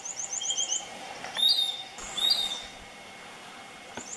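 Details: Piratic flycatcher (Legatus leucophaius) calling at Puerto Paraíso, Misiones, in September: a quick run of thin, high notes, then two loud, whining, upslurred whistles about a second apart.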